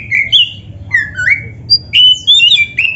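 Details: Oriental magpie-robin, black-breasted form, song for training caged birds: clear sweet whistles, a few down-slurred notes followed by higher sustained and warbled whistles, low hum in the background.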